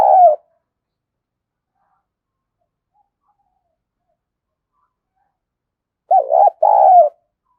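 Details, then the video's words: Spotted dove decoy call, used as a lure to draw wild doves: a cut-off coo at the start, a long silence, then a fuller two-part coo near the end. The coos are mid-pitched, throaty and bubbling. "Tiếng Chim Cu Gáy Kích Bổi Nhanh nổi Hiệu Quả #5 || Chim Cu Gáy Mồi"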